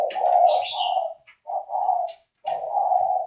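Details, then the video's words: Spotted dove kept for breeding, from northern Vietnam, cooing in a low hollow voice: three drawn-out coos separated by short pauses, with soft clicks and faint higher chirps around them indoors. "chim cu gáy KHÁCH hay miền bắc"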